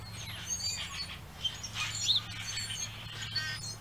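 Common grackles give a jumble of high, squeaky chirps and scratchy notes, overlapping as from several birds, over a steady low hum.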